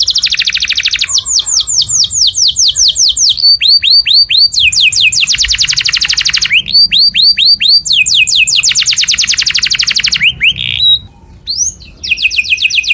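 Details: Loud canary song meant for other birds to learn from, made of quick descending whistled sweeps in rolling trills, shifting between high and middle-pitched tours with brief pauses.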